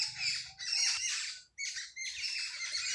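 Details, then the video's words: Sparrows chirping early in the morning in a village: a dense, overlapping chatter of bright, high chirps in two long bursts, with a short pause between them. "صبح سویرے گاؤں میں چڑیوں کی چہکار"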